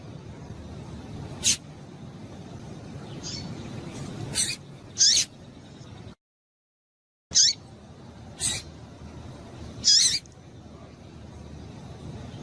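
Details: Double-collared seedeater female call used to stir up a male: scattered high, thin chirps with a falling tail, spaced a second or more apart, with one brief silent break midway and a soft steady hiss behind.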